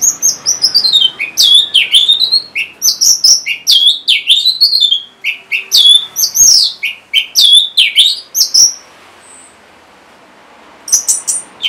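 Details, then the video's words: Orange-headed thrush song used to prompt caged birds that are stuck or reluctant to sing: a rapid, continuous run of high, sweeping whistled and chattering notes that dip and rise, then a brief pause before a few more sharp notes. "C0COK Untuk Pancingan Burung ANIS MERAH Bahan Macet Ataupun Malas Bunyi"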